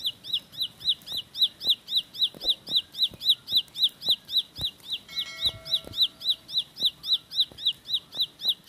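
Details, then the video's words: Ciblek sawah (Bar-winged prinia) delivering a 'roll speed' shot of song: a long, steady string of high, bright, down-slurred chips at about four per second, with a brief thin whistle midway. "Tembakan Roll Spead Ciblek Lagu Full Kolibri // Ciblek Sawah/Ciblek Pari"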